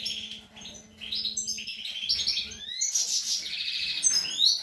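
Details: European goldfinch feeding young, 25 April 2021: varied twittering with clear rising whistled slurs and a buzzy, dense passage, over a faint low hum at the start.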